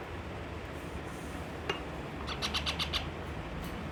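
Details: A baby parrot, angry over its food and refusing to eat, gives a quick burst of five sharp, high chirps in under a second after a single click, over a steady low hum.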